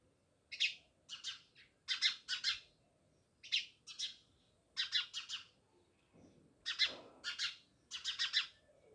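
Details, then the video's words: A group of house sparrows near a village home in Jamnagar calls in paired and tripled chirps, repeated in bouts every second or so, against a quiet background. "Natural Sound Of Sparrows | House sparrows Chirping"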